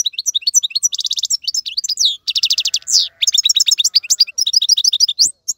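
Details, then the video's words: European goldfinch singing a maqnin tutor song for young birds: fast bright chirps with repeated buzzy trill bursts and quick rising and falling notes, almost without pause. "افضل مقنين لتسميع الفراخ. مقنين جميل جدا لتعليم الفراخ"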